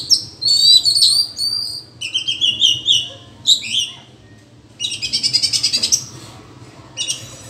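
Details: Oriental magpie-robins in a forest singing duel trade rich, varied phrases of clear whistles and scratchy notes back and forth, with a fast buzzy trill near the end.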